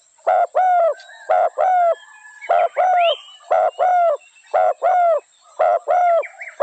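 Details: Spotted dove calling rapidly: a run of short and longer coos in pairs, nearly one per second, with a faint rising whistle and chirps from other birds behind.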